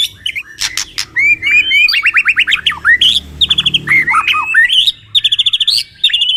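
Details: Two white-rumped shamas on a training recording for competition practice. Energetic song alternating clicks, sharp chirps and fast rhythmic bursts of repeated whistled notes, with short silent gaps between phrases.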